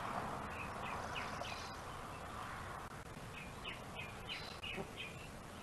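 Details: At a Gabriola island nest seen by webcam, a bald eagle mantles and keeps its prey as another eagle waits to take it; two bursts of thin, high piping notes in quick series, with steady background hiss.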